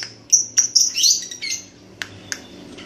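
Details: Red-headed lovebird practising its ngekek trill. It gives quick whistled chirps that run into a brief squeaky jumble, then a few sharp ticks.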